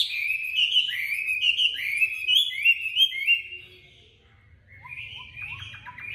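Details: Chinese hwamei, a tame bird from Hanoi, Vietnam, singing competitively: rapid run of bright falling whistles, a brief pause, then quieter short chirps and whistles.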